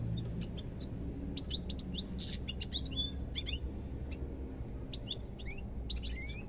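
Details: European goldfinch twittering in quick groups of high clicks, chirps and rising slurred whistles, with a short buzzy burst, against a steady low hum.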